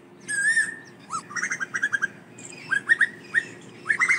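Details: Asian koel calling the flock with a falling whistle followed by clusters of short rising notes in uneven bursts, over a faint steady hum.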